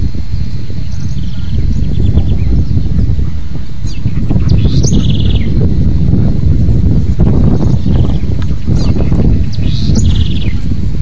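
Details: House wren, locally called cambaxirra or coreca, singing several short high phrases, each a quick rising note leading into a fast buzzy trill, spaced a few seconds apart over a heavy, constant low rumble.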